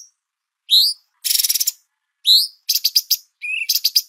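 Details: Bulbul (cucak cungkok) master recording for songbird training: high rising whistled slurs alternate with short bursts of rapid, buzzy, high-pitched trills, separated by brief pauses.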